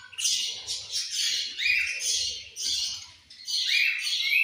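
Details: Feeding-time chatter from a group of budgerigars: dense, harsh, warbled chirping in repeated bursts, with short rising whistled notes, and a soft low rumble beneath.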